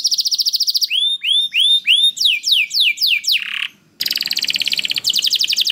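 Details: Canary singing continuously ('gacor'), used as a lure for other canaries. A quick high trill gives way to slower, evenly spaced swooping whistles, a brief gap, then a dense, rapid buzzy trill.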